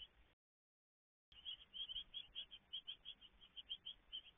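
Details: Great tit at a garden nest box during feeding, 17 May 2022: rapid, steady series of high, thin chirps, several per second, after a short silent gap.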